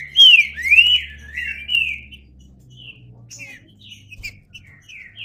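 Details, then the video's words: Green-winged saltator giving a few loud, sweeping whistled notes, followed by quieter scattered whistles over a faint low rumble. "Trinca Ferro (cantando)"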